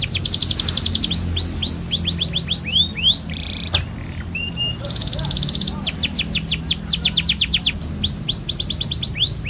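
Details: Canary in full long-duration 'gacor' song used as a lure to get other canaries singing: fast series of high downward-sweeping whistles, a brief buzzy burst near four seconds, then rapid rolling trills and more repeated sweeps, low background hum.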